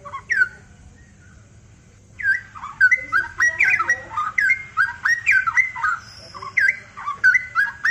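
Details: {'text': 'Cucak rowo, the straw-headed bulbul, singing energetically: after about two seconds of quiet, a dense run of bubbling, fluty whistles with sharp upward and downward slurs, each short note following closely on the last, over a soft background hum.'}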